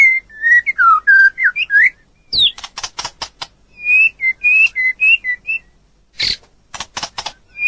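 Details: White-rumped shama singing on a long training recording for other birds: a run of fluid whistled notes that rise and fall, then clicking rattles, then further level whistles with a sharp burst near the end.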